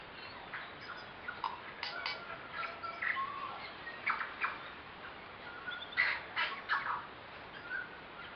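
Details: About eight tui gathered socialising in a kowhai tree on a hike from Karekare falls, West Auckland, in September: repeated clicks and short whistles arrive in clusters roughly every second, with longer held tones between.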